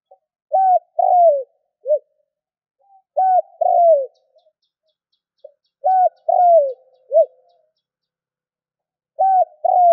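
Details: Spotted dove call used to rouse other doves to call: repeated phrases about every three seconds. A soft lead-in note, an arched coo, a longer falling coo and a short clipped closing note. Very clean, quiet setting.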